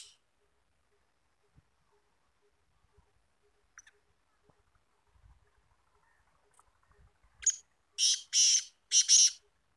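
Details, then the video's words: Black francolin kept through the winter, after rest and feeding, calling after a long quiet stretch with faint ticks. Near the end come three or four loud, rasping, hissy bursts in quick succession. "BLACK FRANCOLIN KALA TEETAR VOICE"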